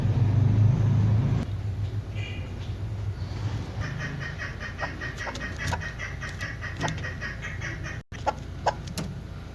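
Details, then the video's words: A female chukar partridge gives quick, repeated clucking notes, short and fairly high, in an uneven series; a low engine-like rumble opens the recording. "chakor ki awaz keklik sesi hunter birds madi ki awaz bast female chakor sound voice awaz"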